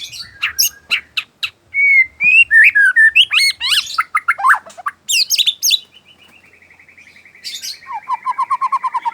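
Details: Afternoon song of a white-rumped shama: sharp chirps and clear whistled slurs, rising phrases and rapid trilled notes, a long level whistle, then an evenly repeated series of short notes about seven per second.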